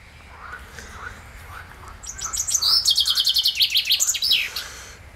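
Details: Common chaffinch singing on 15 June 2020: after a quiet stretch with soft low calls, a bright descending trill of rapid repeated notes runs for about two seconds and ends in a sharp flourish.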